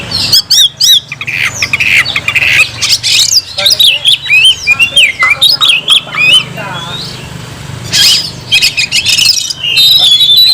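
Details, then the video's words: Oriental magpie-robin singing loudly to call a rival to fight: a rich jumble of whistles, slurred notes and harsh squawky phrases high in pitch, delivered in rapid bursts with brief pauses, over a low steady hum. "kicau burung Kacer gacor memanggil lawan tarung"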